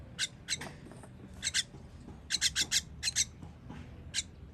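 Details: Feeding of baby birds on 21.06.23: repeated raspy, noisy begging notes in pairs and groups of up to four, fairly even spacing, with light background noise underneath.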